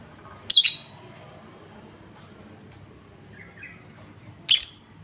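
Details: Lovebird lure sound meant to make other lovebirds respond and sing: two loud, shrill, very high squawks about four seconds apart, with faint softer chirps between them over quiet background.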